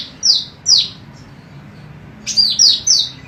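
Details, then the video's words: Female cucak rante, recorded as a training song for other birds: sharp, high chirps slurring downward, two spaced notes then a quick run of three, over a faint low background hum. "MASTERAN BURUNG CUCAK RANTE EMAS BETINA GACOR"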